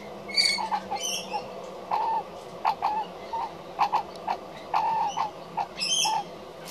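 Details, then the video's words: Adult magpie making strange noises it gives when other adult magpies are around: a run of short, hollow mid-pitched notes, about two a second, broken by a few higher squeaky chatters. "Magpie Making Strange Sounds"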